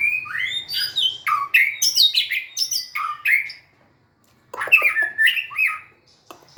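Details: White-rumped shama, singing while dancing and wagging its tail, pours out a long fast string of crisp varied whistles and chirps, pauses about a second, then resumes with another lively burst.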